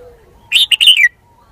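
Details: Red-whiskered bulbul, a decoy bird, giving one loud bubbly phrase of three or four quick whistled notes that ends with a falling slur, in a quiet setting.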